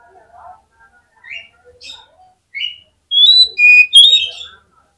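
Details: Oriental magpie-robin, a fighter bird at a song contest whose voice is said to set off rival magpie-robins, giving short scattered whistles, then a loud burst of high, sharp whistled phrases near the end over faint background chatter.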